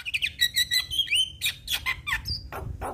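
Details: A black-collared starling sings to set off other starlings, giving quick chattering whistles, a slurred rising whistle, then rasping notes and a clear high whistle.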